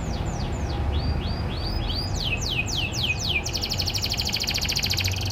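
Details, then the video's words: Farm-bred domestic canary in morning song: descending slurred whistles repeated in series, then rapid sweeping notes leading into a fast, high rolling trill, heard over steady low background hum. "MASTERAN KENARI PAGI HARI"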